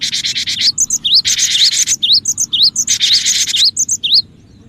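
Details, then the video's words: Cinereous tit calling vigorously as a lure for other birds: bright zigzag whistled notes repeated about twice a second, interleaved with rough buzzy bursts. "suara pikat Burung gelatik batu gacor dan cocok juga buat pancingan gelatik batu yg susah bunyi"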